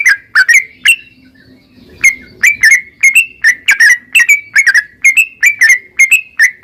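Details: Caged yellow-vented bulbul giving 'narung ropel' calls to encourage other birds to sing: quick paired whistled chirps with crisp attacks, a short pause near the start, then a steady run of notes.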